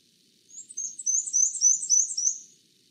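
Black-and-white Warbler song: a thin, very high series of paired notes see-saw alternating high and low, like a squeaky wheel, at a medium-fast pace.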